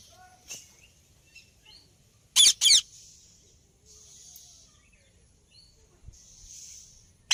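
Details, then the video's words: Indian ringneck parakeet giving two loud, harsh screeching chirps in quick succession midway, otherwise only faint high hiss and soft scattered background sounds. "Parrot Chirping Sound Effect"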